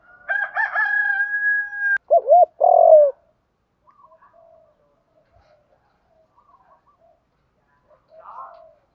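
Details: Decoy call of a spotted dove, meant to stir other doves to call: a long level harmonic note, then two quick throaty coos, followed by near silence with faint scattered sounds and a brief late murmur.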